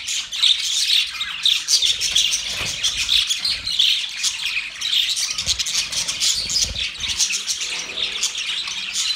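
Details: Budgies singing while mating, a dense flock-like chatter of high chirps and scratchy squawks running without pause, with faint low rumbles underneath.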